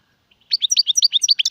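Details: Brief burst of European goldfinch song, Serfati, Gzirati and Tserseer styles: about a second of crisp, evenly spaced high chirps, roughly nine per second.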